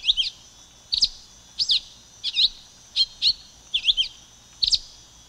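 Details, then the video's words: Silver-beaked tanager (Ramphocelus carbo) song: sharp, high chirped notes, often in quick pairs, repeated about every half second to second against a quiet background. "Canto da Pipira Vermelha Ramphocelus Carbo"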